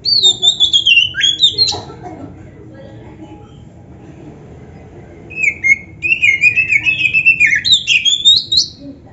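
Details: Oriental magpie-robin (kacer) in lively champion-style song with varied fill, played to prompt other magpie-robins to answer; two bursts of loud, rapid, slurred whistles, falling then rising, separated by about three seconds of quiet.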